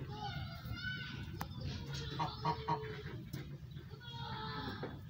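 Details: A goose chattering to its owner in a string of short, nasal, harmonic notes, some rising and falling, with a brief quick run of clipped notes in the middle and two sharp clicks.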